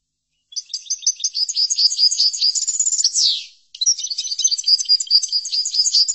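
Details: European goldfinch singing a chordonier-style song played to teach caged goldfinches: rapid high twittering trills of clipped notes, a smooth downward-sweeping slur near the middle, a brief pause, then the fast chattering resumes steadily to the end.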